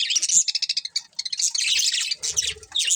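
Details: Budgerigars, a breeding pair: busy high chirping and twittering, fast sharp chirps in quick series, then denser overlapping warbled chatter, with a faint low rumble in the background.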